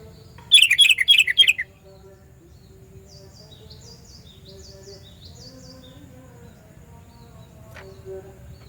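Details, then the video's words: Sooty-headed bulbul giving a loud call used to lure bulbuls: one quick run of about five bubbly, descending notes, then faint high chirps from other birds over a low steady hum. "Panggilan Burung Kutilang Suara Nyaring Keras, Cocok Buat Pikat Kutilang Anda"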